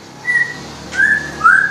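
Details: A young male Asian fairy-bluebird with a blue tail, just starting to sing, kept at a bird shop in Jakarta, at midday after rain: three clear, liquid whistles, a steady high note, then two slightly lower notes that glide upward. Faint indoor hum underneath.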